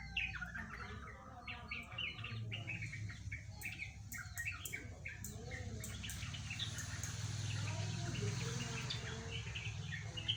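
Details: Yellow-vented bulbul giving a long, rambling song said to resemble a straw-headed bulbul: a busy run of quick chirped and warbled notes mixed with other birds, over a steady low background hum.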